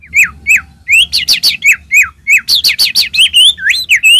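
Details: Song of a white-rumped shama meant to stir other shamas to sing: clear downslurred whistles alternating with rising sweeps and bursts of rapid, piercing high notes.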